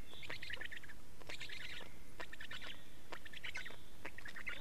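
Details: Estonian black storks changing over and feeding at the nest, 24 May 2019, 15:15. Scratchy squeaking bursts in quick succession over a steady low background hiss.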